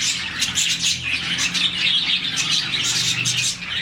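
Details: Brief burst of morning chirping from a colony of around 40 budgies, said to show happiness; overlapping piercing tweets and fast chatter fill the whole moment.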